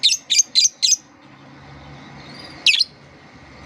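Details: Lovebird therapy song used as a lure for young learning lovebirds: four quick harsh high squeaks in a row, a pause, then one more squeak and a final short chirp.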